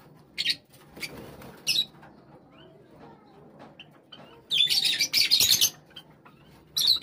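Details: Java sparrows gathered as a flock after a call: a few short high bursts, a quiet stretch with faint chirps, then a long loud spell of dense, harsh chattering and a final burst.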